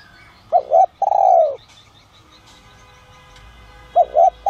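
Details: A spotted dove with a 'son' voice, calling to attract wild doves, gives one phrase of a quick double coo and a long, soft, dropping note. After a quiet gap it starts the pattern again.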